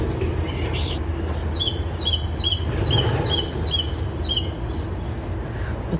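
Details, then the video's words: A song thrush at Hobsonville Point, Auckland, New Zealand, a mimic singing the songs of local birds, repeats a short, bright, high note about twice a second over distant traffic rumble. "this is the song thrush it is a mimic and it is singing all the different songs of the birds in this area"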